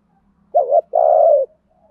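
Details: One low coo from a decoy spotted dove luring wild doves: a short dipping note followed by a long steady hum, close and clear against a faint low background buzz.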